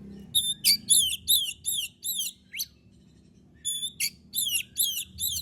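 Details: Oriental magpie-robin singing actively, used as a lure to provoke other birds into singing: bright whistled notes sweeping down, repeated in quick bursts of about three per second, a pause, then another run of similar notes.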